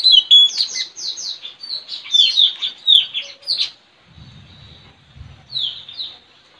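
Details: Straw-headed bulbul trained as a decoy, singing against a neighbour's bird outside a house in the village on 4 April 2021; rapid repeated high falling chirps for about three seconds, then faint low rumbling and a final pair of notes.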